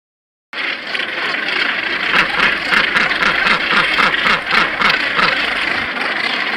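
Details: Northern gannets give harsh, guttural, rasping calls, repeated quickly at about three to four per second as a dense, grating din.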